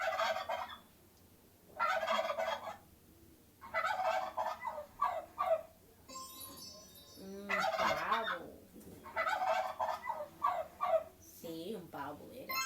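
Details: Turkey heard as the answer in a children's quiz on farm animal sounds: loud rattling gobble bursts, each about a second long, repeated in five or six bouts, with brief quieter wavering calls between them.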